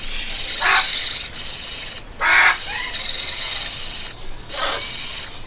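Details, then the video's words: Parrot giving three loud, raspy, broadband squawks about a second and a half apart, each harsh and noisy, with a steady hiss between calls. "PSITACÍDEOS - Araras - Cacatuas - Papagaios - Periquitos - Animais da Fazenda - Som Dos Animais"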